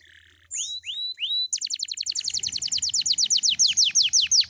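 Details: Morning canary song, played to prompt young canaries to sing: a few high upslurred whistles, then a fast, steady trill of sharp descending notes that grows louder toward the end.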